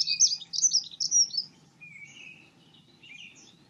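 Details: Singing Dunnock opens with a loud, rapid, scratchy warble of high jingling notes lasting about a second and a half, followed by quieter, thinner twitters from more distant birds.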